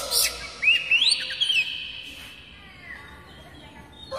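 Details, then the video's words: Oriental magpie-robin song used as a lure to set kacer birds singing; a sharp note, then a clear rising whistle that sweeps upward and holds, followed by quieter fading whistles against a steady background hiss. "Banyak kacer LANGSUNG BUNYI dengan suara khas kacer ini MASTERAN KUCICA KAMPUNG"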